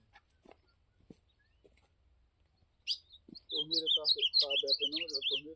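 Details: Ultramarine grosbeak singing in the campeada style: after about three seconds of quiet clicks and taps, a fast run of warbled, twisting high notes starts and continues without pause to the end.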